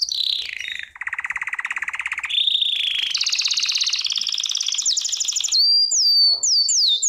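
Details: Song of a Belgian canary used for training: a descending note into a lower pulsed trill, then rising steps of fast rolling trills, closing with repeated sharp, hooked whistled notes.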